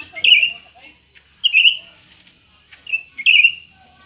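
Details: Competing pair of Grey-bellied Bulbuls, a newcomer and an established bird, singing short, fluty, slightly trilled phrases at a steady pitch, delivered in separate bursts with brief silences between them.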